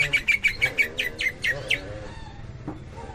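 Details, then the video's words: Tembakan-style song of a greater green leafbird from Cililin: about ten sharp, evenly spaced high notes fired in under two seconds, then a softer, fading warble. "Cucak Ijo 86 Tembakan Cililin,kapas tembak"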